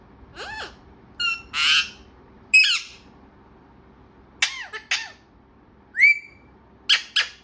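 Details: A chattering parrot gives a rapid series of raspy squawks, short speech-like syllables and one clean rising whistle, with brief pauses between the loud bursts.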